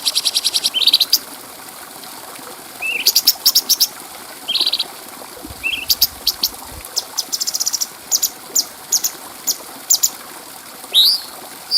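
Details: Clear-voiced bulbul song used as a tutor recording for training other birds. Bursts of very high, rapid, buzzy pulsed notes alternate with brief upslurred whistles and scattered sharp ticks. A short low rumble sounds in the middle.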